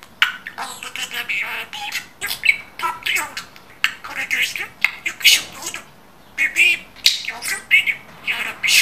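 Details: Budgerigar kept as a pet, praised as a fine talker, babbling mimicked Turkish speech: dense raspy syllables and chirpy squeaks in uneven phrases, with a pause midway.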